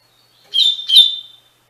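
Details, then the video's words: Short double-collared seedeater phrase from a Tui Tui Fibra training song for captive birds: two clear, ringing whistled notes in quick succession, the second slightly stronger and trailing off. "Encarte para Coleiro e Baiano - Canto Tui Tui Fibra"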